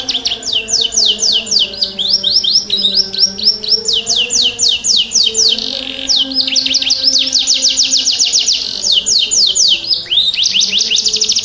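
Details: Canary in full song, played to prompt silent or stressed canaries to sing: long fast trills of descending high notes, tempo shifting between rolls and runs, continuous and loud with a faint low hum beneath.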